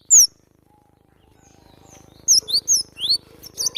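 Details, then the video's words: Cinereous tit training recording for cage birds: a single sharp whistle, a quiet gap with faint hum, then a lively cluster of high, twisting whistled notes. "masteran burung glatik batu"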